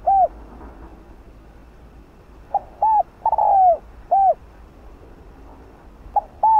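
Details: Decoy spotted dove cooing to lure wild doves. A lone coo comes first, then a full phrase of a short note, a coo, a long falling coo and a final coo. A new phrase starts after a pause of nearly two seconds.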